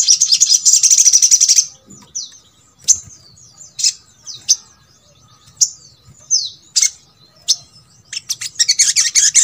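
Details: Little spiderhunter, a recording meant to coax sluggish birds of the same kind into singing: a fast rattling trill, then widely spaced thin, high slurred chips and sharp notes, ending in another quick rattle.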